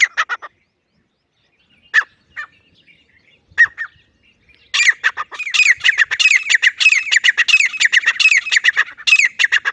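A grey francolin gives a few scattered sharp notes, then breaks into a loud, fast, ringing series of repeated high, looping notes.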